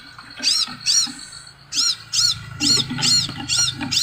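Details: Scarlet sunbird singing high, bright, slurred notes in a steady series roughly every half second, with a low droning hum underneath. Played to prompt other birds to join in.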